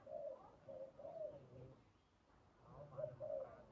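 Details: Spotted dove calling during decoy trapping: two short groups of mellow low coos separated by a brief pause, each phrase of three or four soft hooting notes.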